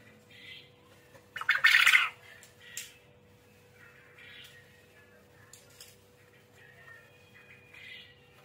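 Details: Quail (burung puyuh, manuk gemek) calling actively: one loud, harsh, rasping burst near the middle, with softer buzzy notes scattered before and after over a steady low hum.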